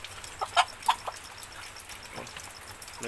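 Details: On a rainy morning, captive red junglefowl hens at feeding time give a few short, clipped clucks in the first second, then a brief lower call near the end, over steady rain hiss and a faint voice.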